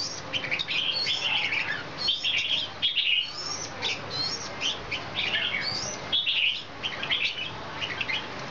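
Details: Wing-dancing red-whiskered bulbul in high condition sings a run of sharp, sweet chirps and short warbled phrases, clustered in lively groups with brief gaps, over a constant hiss.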